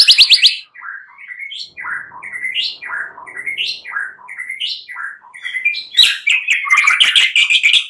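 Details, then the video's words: White-rumped shama song recorded for night-time luring to stimulate singing: a run of repeated rising whistled phrases about one per second, ending in a dense chattering burst of high notes. "Pancingan murai batu MALAM HARI agar GACOR dan NGEPLONG"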